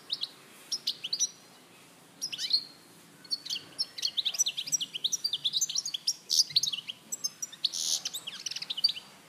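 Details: Singing goldfinch from Larache in 2014 opens with a few isolated chirps, then launches into a rapid, jangling sequence of twittering notes and buzzy trills.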